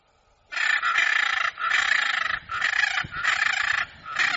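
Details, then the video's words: After a moment of quiet, a hyacinth macaw launches into a steady string of five loud, gravelly squawks, each roughly half a second long and nearly back to back. "Arara Azul Cantando"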